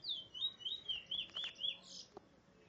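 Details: Trinidad bullfinch (large-billed seed finch) at Barrackpore, Trinidad, singing a quick run of about six high warbled whistles that step downward, then a brighter burst of notes and a single sharp click, with quiet background.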